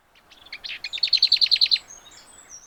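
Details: Lesser Whitethroat song, a bird of mature woodland, scrub and big hedgerows: a brief scratchy warble like a Common Whitethroat's, leading into a fast, dry rattle of about eight even notes, all within two seconds.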